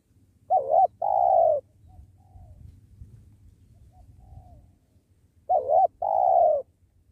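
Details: Spotted dove heard during trapping beside a sacred tree: two coo phrases about five seconds apart, each a short wavering note plus a longer mellow note, with faint distant bird chirps and low rumble between.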